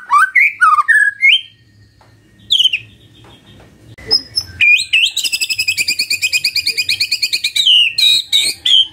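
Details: Magpie-robin morning song for prompting quiet birds to respond: a few looping whistles, a pause, then a rapid buzzy rattle of evenly spaced high notes for several seconds.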